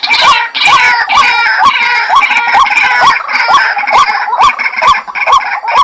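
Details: Dahuk waterhen sounding a quick, regular chain of upward-hooked notes, about two per second, overlaid by a strong, scratchy band of higher-pitched sound.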